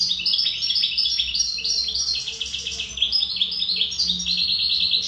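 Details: Continuous song from a wild-type (khaloui) European goldfinch: rapid, jangling high twitters mixed with short trills and buzzy notes, fast and unbroken throughout.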